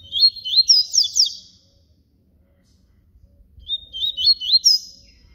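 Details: Papa-capim baiano, the yellow-bellied seedeater, delivering canto flauta: two rapid phrases of high, sweeping whistled notes, the first rising in pitch, separated by two seconds of near silence.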